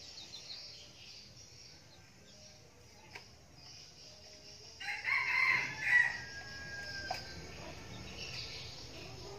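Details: Red junglefowl decoy bird, a frequent crower, gives a brief, distant crow about halfway through, a short series of rising and falling notes over constant high insect hiss and low background rumble.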